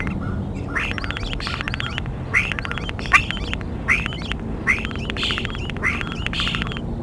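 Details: Bald eagle at the Decorah nest in the early morning of 23 February 2021: loud, harsh, squealing chitter notes come in bursts about once a second over a steady low rumble.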